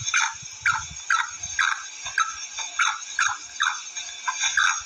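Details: Female black francolin uttering a steady series of around ten clipped, falling chirps, roughly two per second, against an unbroken thin high-pitched hiss.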